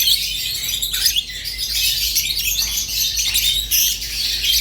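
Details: High, fizzing chatter from rosy-faced and Fischer's lovebirds, an unbroken wash of squeaky chirps, clicks and short whistles, with a few slurred notes dropping in pitch.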